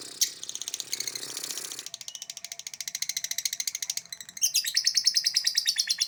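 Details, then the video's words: Lovebird giving a long-duration ngekek song: after a rougher opening, a rapid, unbroken train of harsh, buzzy chattering notes runs on at an even pace and grows louder toward the end. "LOVEBIRD LADOT NGEKEK DURASI"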